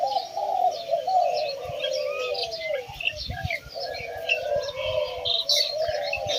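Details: Spotted doves at a Thai home after a large release of birds: rolling mid-pitched coos repeat steadily under a busy layer of high chirping and twittering from other birds.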